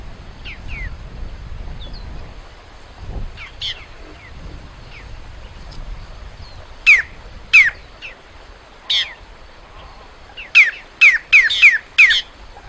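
Great-tailed grackle song: loud, sharp rising whistles and harsh notes, given singly then in a rapid cluster of five near the end, with faint chirps between.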